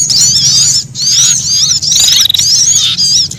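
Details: Threatened sunbirds giving alarm calls combined with prinia: piercing, high twittering bursts in quick wavy phrases, with one thin steady whistle mid-clip, over a low background hum.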